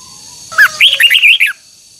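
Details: Red-whiskered bulbul, a training recording to coax a double, twisting phrase, sings one loud second-long phrase of rich warbled whistles, rising and falling notes linked together, with a faint steady high hiss behind.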